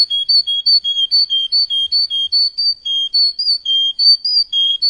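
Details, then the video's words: Training song for canary chicks, universal for all young canaries: a steady run of paired whistled notes repeated a little over once a second, clean and high-pitched, with no background noise. "Трайник жужалар га ештиринг ва Барча чужа канарейка учун унверсал"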